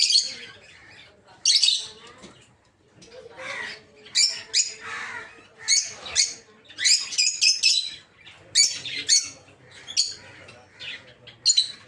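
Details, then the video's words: Rosy-faced lovebirds, also called peach-faced, in a breeding aviary with green opaline, dark green, blue rosy and lutino birds; harsh high squawks and chirps come in spaced clusters, several birds calling at once. "Peach-Faced Lovebird's Sounds"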